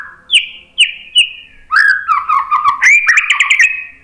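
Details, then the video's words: White-rumped shama: three spaced clear whistles falling slightly, followed by a lively mix of warbled and buzzy notes climbing in pitch; a lure song for getting birds to respond. "KICAUAN MURAI BATU memancing BUNYI jadi NYAUT GACOR NGEPLONG BONGKAR ISIAN"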